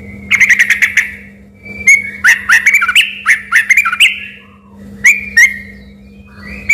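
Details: Trucuk, the yellow-vented bulbul, in full chattering song that people first took for a white-rumped shama: quick stuttered notes, then liquid rising and falling warbles and scattered single chirps over a faint steady hum.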